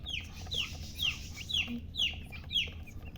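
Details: Baby chicks chirping: six piercing descending peeps spaced about half a second apart, each sharp at the start and fading, with a soft hum underneath.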